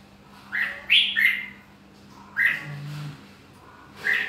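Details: Red-whiskered bulbul giving a few loud, slurred whistled phrases, the first a rapid tumbling run of notes, then single falling notes spaced over a second apart; a brief low buzzing hum sounds between phrases.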